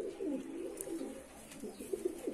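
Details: Domestic pigeons cooing in a home loft where four stray pigeons have joined the resident flock; low, rolling coos repeat in soft overlapping phrases throughout, with faint indoor room sound.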